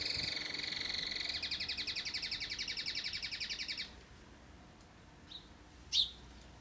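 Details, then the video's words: Domestic canary trilling rapidly, the pulses growing louder and more distinct after a second. The trill stops abruptly, followed by quiet and two short sharp chirps. "تغريد كناري Canary tweets"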